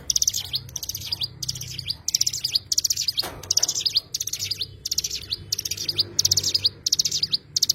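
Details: Repeated high, busy twittering phrases from an Oriental white-eye (cigun), evenly spaced about every 0.7 seconds, with one brief low thump midway.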